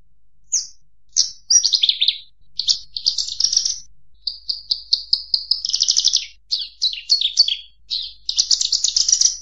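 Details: Bushlark song: a varied run of short high chirps and buzzy trills, phrases sliding down then rising again, one note repeated in a quick series mid-song, delivered almost continuously with brief gaps.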